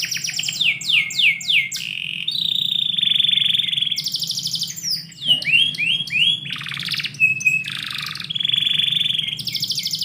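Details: Canary singing indoors in the morning: a long, varied song of rapid descending whistled sweeps, steady trilled rolls and buzzy rattles, phrases changing every second or two, with a low steady hum beneath.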